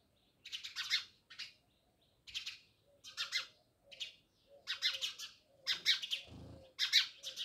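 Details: House sparrows near a village house at Jamnagar give clustered, harsh chirps in quick groups about once a second, with a soft low thump partway through.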